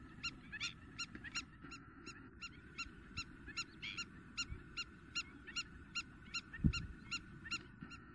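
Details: Intense calling by a Spur-winged lapwing in Greece in April 2023. Loud, sharp metallic notes repeat steadily, more than two a second, with a few rougher notes mixed in. A knock sounds near the end over a steady drone.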